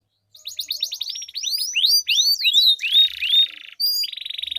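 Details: Canary song used as a lure to get stalled canaries singing, a long rolling duel: rapid repeated sweeping whistles and trills, high and bright, shifting into buzzy sustained rolls near the end.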